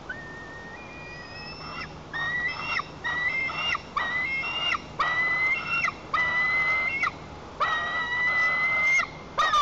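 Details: White-tailed eaglet in a wild nest at Lower Kama National Park, Tatarstan, 21 July 2023, throwing a tantrum while its mother sits on a branch. Drawn-out, harmonic screams, some rising, come in a steady series with brief gaps between them.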